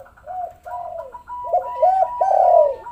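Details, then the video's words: Spotted dove calling to lure lazy doves into calling: arched, rounded coos that overlap and run together, with a steady higher whistle-like tone in the background. "pancingan maut tekukur derkuku malas bunyi langsung gacor"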